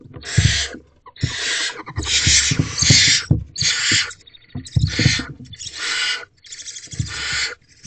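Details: Wild barn owl family in nest box C before dawn, 25 April 2023, as the mother delivers a large rodent: a run of seven rasping, noisy hissed screeches, roughly one a second, some overlapping, over low bumping and scuffling.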